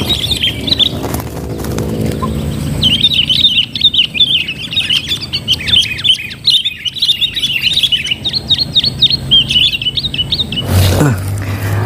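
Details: Sooty-headed bulbuls chatter in rapid, bubbly, high chirps, almost without pause for about eight seconds, during a trapping session against a dominant bulbul, with a few thumps and rustles of handling.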